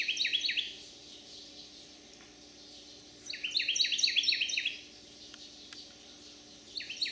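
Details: Resident male Carolina wren singing loudly in a backyard in Manchester, St. Louis County, Missouri, on a summer day, July 30, 2022: three bursts of rapid, ringing, repeated phrases separated by pauses, with a faint steady hum behind.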